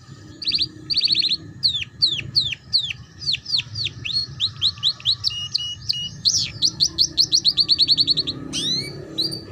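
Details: Canary singing a ngeriwik-style tutor phrase for juvenile canaries: a long series of quick, sharply descending chirps repeated about twice a second, accelerating into a dense rapid trill, then a final swoop.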